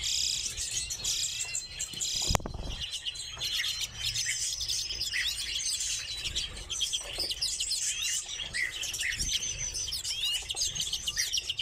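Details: Kept redpolls twitter steadily in high, rattling trills and quick chips, broken early by a short thump.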